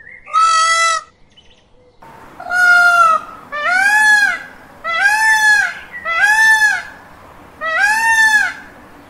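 Indian peafowl giving six loud, nasal, wailing calls, each about a second long and slightly arched in pitch, repeated every second or so with a faint hiss between.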